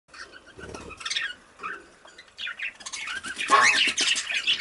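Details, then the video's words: Pet rainbow budgerigar giving scattered squawks and short warbled chirps with brief quiet gaps, then a denser, louder run of scratchy chatter in the final seconds; a low thump or handling noise can be heard early on. "Rainbow Budgie/Parakeet"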